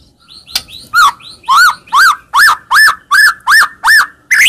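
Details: White-rumped shama sound used to provoke a reply: a steady series of eight loud arched whistled notes, each rising then falling, repeated about every half second after a few soft chirps.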